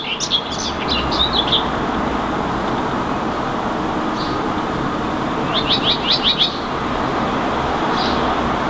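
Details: Common whitethroat perched in a tree in Helsinki, Finland, in May 2019, singing. Two short, scratchy, fast chattering phrases about four seconds apart, with a lone high note between them, over a constant loud traffic-like rumble.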